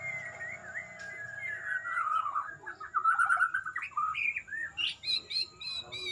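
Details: White-rumped shama of the bowing ('gaya sujud') style singing: a varied run of clear whistled notes, some sliding down, others rising, then short rapid high chirps and trills toward the end, with a faint steady background tone.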